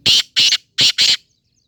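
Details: Black francolin gives four harsh, grating, rasping notes in quick succession, paired in two short bursts.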